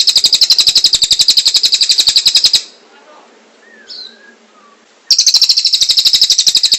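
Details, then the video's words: Kingfisher calling in a long sequence recorded for training other birds: a rapid chattering series of sharp high notes, a short pause with a faint whistle, then the same fast repeated notes resume. "Suara Burung tengek cililin panjang buat masteran burung"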